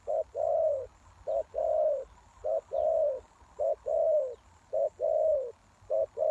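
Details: Spotted dove serving as a lure for wild doves, giving repeated hollow coo phrases, a brief note then a longer falling croon, about every 1.1 seconds, with faint high bird notes behind.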